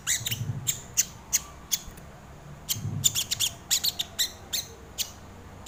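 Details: Crimson sunbird lure and tutor song: clusters of shrill, clipped high notes and short downward slurs, fired in irregular bursts with soft low thumps in the background.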